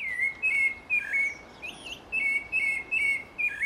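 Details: Rufous-bellied Thrush singing clear, high whistled phrases, short notes strung in quick bursts with brief pauses, some slurred upward, over faint hiss; in quieter places it sings near dawn, in noisy cities before dawn.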